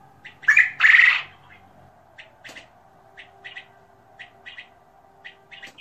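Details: King quail giving a loud, harsh, buzzy double squawk, followed by soft short chirps spaced irregularly through the rest of the recording, with a faint steady hum.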